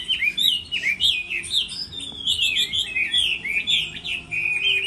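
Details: Competitive song of a Chinese hwamei in the moulting season, a continuous fluid chain of bright, pulsing whistles delivered at high pitch without pause.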